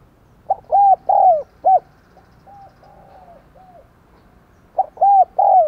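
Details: Spotted dove used as a lure bird, 'đồng còi' voice, coaxing wild doves to call: repeated phrases of mellow arched coos, with fainter distant cooing between them.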